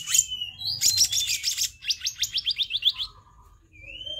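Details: Black-naped monarch used as a tutoring and lure recording: buzzy broadband notes, then a fast series of about nine sharp, rising whistled notes that quicken and fade, and a final thin slurred whistle.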